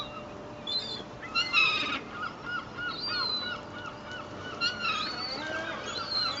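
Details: Rowdy seagulls on a sunny day at Fleetwood Docks, being fed bread from a boat's stern deck, 7 August 2012, with a duck nearby; several harsh, rising and falling squealing calls overlap against a steady hum of background noise.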